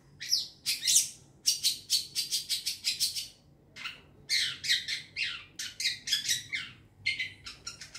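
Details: Young wild long-tailed shrike from the forest, used as a lure recording: bursts of harsh, buzzy, broadband chattering notes in rapid runs, separated by short pauses, with a faint low hum underneath.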